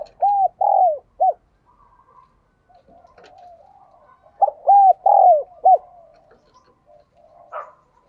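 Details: Decoy spotted dove cooing to call: two loud three-note phrases about four seconds apart, each a short coo, a longer drawn coo and a clipped final coo. Softer, muffled cooing lies between them.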